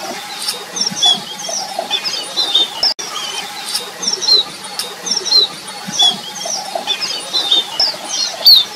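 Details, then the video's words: Red avadavats eating give thin, high twittering chirps and squeaky notes in quick irregular bursts, with a soft background hum and faint rustling. "Red Avadavat eating and sound"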